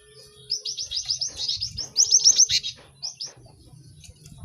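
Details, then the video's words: Cinereous tit singing in a lively recording meant to teach birds fast: a steady series of repeated high chirps quickening into a sharp trill, then two final notes over low rumble. "Pacingan gelatik batu ramai untuk maksimalkan burung belajar cepat bunyi"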